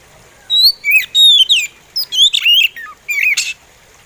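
An Oriental magpie-robin sings a slow run of clear, sweet whistles, slurred up and down and broken by short buzzy notes, in phrases about a second long.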